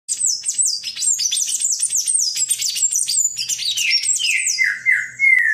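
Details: Palm tanager singing a great deal: a fast, continuous run of high squeaky chirps and slurred notes, bright and jumbled, dropping into lower buzzy phrases near the end.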